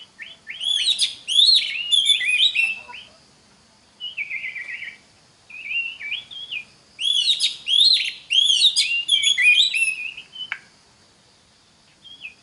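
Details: Oriental magpie-robin singing to teach young birds their song: loud bursts of varied whistled and chattering phrases alternating with quieter short whistles and brief pauses.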